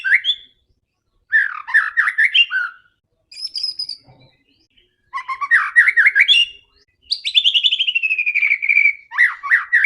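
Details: White-rumped shama, singing eagerly and aggressively to provoke other birds: short scratchy warbled bursts, a thin high whistle, then a long fast trill falling steadily in pitch.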